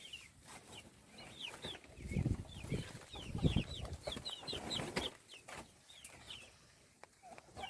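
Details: Chicks at meal time peep steadily. Bright, brief downward-slurred chirps repeat irregularly, about one every second or faster. Low thumping and pecking noises rise in the middle.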